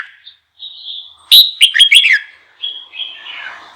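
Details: Song of a red-whiskered bulbul, meant to prompt other bulbuls to sing; a soft, thin warble leads into a loud, quick cluster of bright, sharply inflected chirps, then trails off in quieter warbling.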